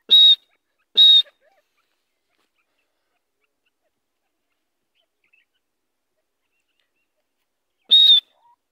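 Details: Grey francolin that has been set free gives three loud, short, high, harsh notes: two close together, then a long silence before the third.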